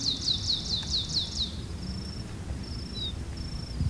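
A Blue Finch sings a quick run of seven high, thin, descending notes, then adds a few drawn-out high whistles over low rumbling background noise.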